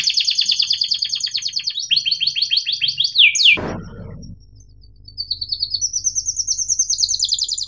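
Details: Canary song meant to teach young birds and restart silent singers: dense high buzzy trills, a loud click-like burst midway, then quieter rising rolled trills. A faint low hum runs underneath.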